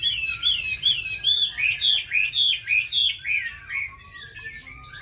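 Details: In Hanoi, Vietnam, an oriental magpie-robin sings competitively alongside bulbuls, laughingthrushes and doves. Its song is a regular string of arched, slurred whistles, roughly three per second, ending in lower drawn-out whistled notes.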